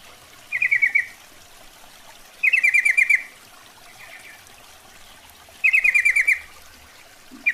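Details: Female Yellow-vented Bulbul calling for a male, a lure sound: repeated bursts of six to eight rapid chattering notes, gently descending, with pauses of one to three seconds between bursts.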